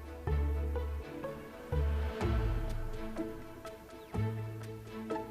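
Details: Slow instrumental music with deep low notes swelling and fading and soft bell-like tones above; no animal voice is heard.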